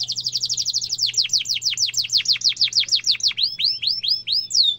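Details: Canary rolling song played to teach young canaries: quick run of high chirps slowing into repeated downward-sweeping whistles, then upward-curving notes, with a faint low hum beneath.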